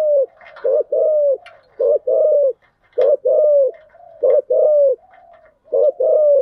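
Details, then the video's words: Spotted dove decoy bird cooing to entice wild doves: regular phrases of a short coo followed by a longer, gently falling coo, repeated five times with brief pauses, clean and loud. "Tiếng chim cu gáy mồi giọng lôi cuốn hấp dẫn đủ bài[ THÚC GÙ , GÁY GỌI ]"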